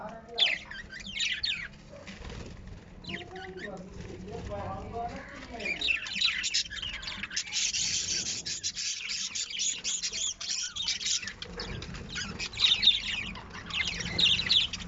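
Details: Lovebird chatter: dense, scratchy, high twittering calls running almost without pause, loudest in the middle and near the end, with rustling in the background.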